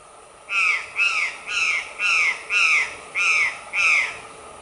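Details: Female white-lined tanager (Tachyphonus rufus) calling with a series of eight harsh, arched, downslurred notes, about two per second, clear and close over a quiet background.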